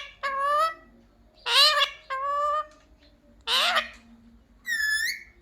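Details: Pet parrot taught to say "mummy papa" gives five drawn-out, nasal, harmonic calls about a second apart, some flat and some rising, over a faint low hum.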